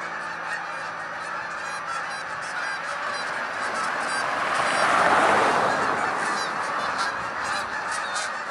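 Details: Canada geese, hundreds lifting off together, produce clear ringing honks over a dense chorus; the mass of calls swells to a peak around mid-clip, then eases slightly.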